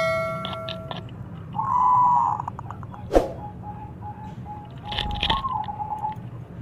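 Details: Local zebra dove, a strong-voiced frequent singer meant to set other doves singing: one smooth sustained coo, then a faint dotted string of soft notes, with a sharp click and some scattered tapping noises.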